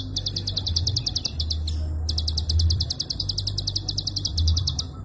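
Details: Prinia klik call in long, rapid bursts with almost no rest, for training songbirds: two runs of quick, sharp high ticks separated by a brief pause, with a low hum underneath.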